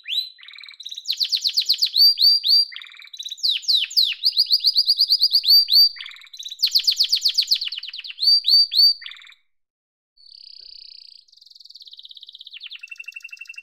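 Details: Yellow domestic canary singing a long song of rapid repeated trills and rolls, series of down-slurred notes and buzzy tours, pausing briefly near the end before a softer rattling phrase resumes.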